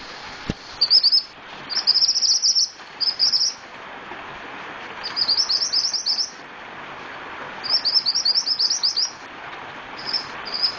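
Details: Scarlet-headed flowerpecker in lively song, giving very high, fast ticking trills in runs of half a second to a second and a half, separated by short gaps, with one sharp click early on.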